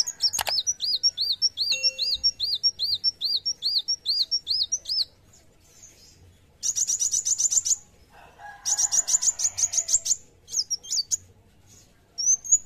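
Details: Kolibri wulung sunbird in full, intense song: a fast chain of high downward-curving notes paired with sharp flat whistles, followed by dense buzzy rattles and brief high chips after short silences.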